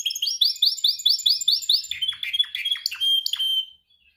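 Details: Canary song practice during training: an even roll of repeated rising chirps about seven per second, then jumbled sharp downslurred notes and a clear whistled note before silence.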